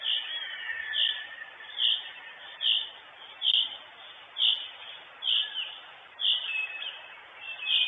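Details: Northern goshawk mother sitting in an Estonian nest, recorded by a live camera on 23 June 2022: a run of about nine sharp, high calls at a steady pace of nearly one per second, with background hiss.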